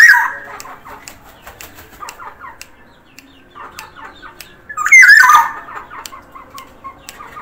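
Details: Lively Sumbawa Black-naped oriole opens and later repeats loud harsh, looping squawky phrases, with soft chattering notes between and sharp high ticks in the background.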